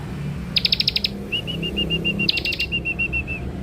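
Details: Young ciblek (Bar-winged prinia) kept as a lure bird: a rapid rattling burst of buzzy notes followed by a fast series of about a dozen identical short whistles, then the pattern repeats.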